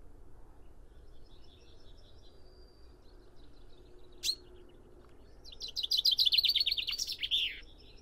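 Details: After several seconds of faint birds in the background and one sharp note, a common chaffinch bursts into a loud, fast rattling series of high notes that descend and end in a flourish.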